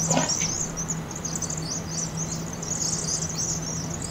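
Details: Vaux's swifts massing at night over a University of Oregon chimney roost during fall migration, played 2.5 times fast; brief thump at the start, then continuous high twittering from the flock over a faint drone.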